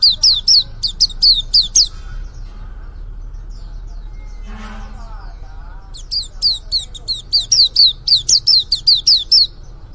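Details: A young white-eye just beginning to sing gives quick, high, down-slurred chirps in fast runs, then pauses briefly before starting another long series. A low hum lies underneath.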